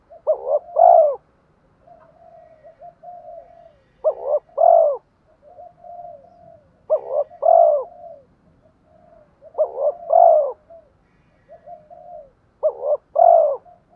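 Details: Spotted dove decoy calling to lure and provoke rival males: repeated phrases of two or three short rising coos ending in a louder falling note, about every three seconds, with soft murmured coos between.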